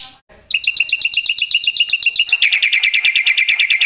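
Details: After a moment of quiet, a black-winged myna launches into loud, rapid, even whistled chips that grow faster and denser toward the end.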